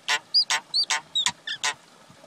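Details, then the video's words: Common myna pair, male and female, trading loud harsh squawks with short clear whistles, about seven rasping notes in just over two seconds, the whistles slotted between them. "Call or Song of Male & Female common Myna, Acridotheres tristis"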